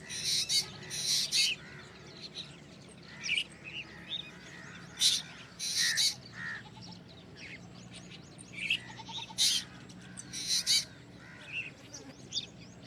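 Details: Black drongo calling in loud, rasping bursts, often in doubled pairs spaced a few seconds apart, with brief whistled notes scattered in between.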